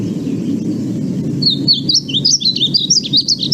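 Painted Bunting singing a light, sweet, jumbled warble of high, quick notes that starts after a second and a half, over a low background hum.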